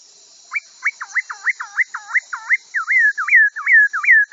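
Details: Chinese hwamei tutor song for kiacu: a quick series of V-shaped whistled notes repeated about three per second, changing into rounder looping whistles, with a faint high electronic-sounding hiss.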